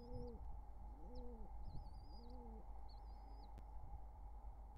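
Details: Wild pigeons courting by their nestlings, summer 2023: three low bowed coos alternate with thin, high, wavering whistled squeaks, all over a steady background hum.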